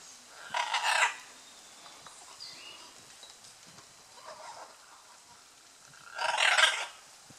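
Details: Scarlet macaws during courtship display at Playa Blanca, La Palma, on the Osa Peninsula, Costa Rica: two loud, harsh, grating squawks about six seconds apart, with a fainter rasping call between them over a quiet background.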